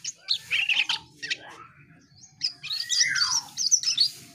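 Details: Asian pied starling singing a loud, varied song of harsh chattering notes, sharp high whistles and a long descending slurred whistle, with brief pauses between phrases and a low hum beneath.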